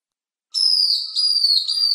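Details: Long-tailed broadbill singing a long, clear whistle that starts after a short silence and slides slowly downward in pitch, with a brief dip in loudness partway through.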